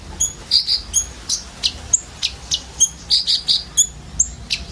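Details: Common iora filler song, many birds, used as a sunbird lure; separate high chirps and short whistled notes, some doubled, spaced irregularly about three to four per second.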